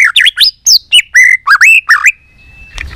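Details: Fast burst of white-rumped shama fighting song: eight or so loud looping whistled notes in quick succession, each bending up then down, ending in a thin held tone and a soft thump.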